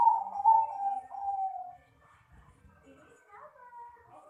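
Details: Bangkok-type zebra dove (perkutut) singing: a loud, steady cooing phrase that descends slightly, with a quick rolling flutter through it, lasting almost two seconds, then fading to faint softer notes and quiet murmurs.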